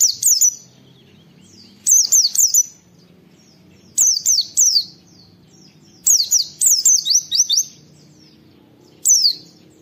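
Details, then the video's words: Tutor recording of an oriental white-eye's "wit wit" calling; regular bursts of two to five high, piercing downslurred whistles, recurring about every two seconds over faint low background noise. "Masteran Pleci Nembak Wit Wit Mudah ditiru, semua pleci terpancing ikut Nge witwit"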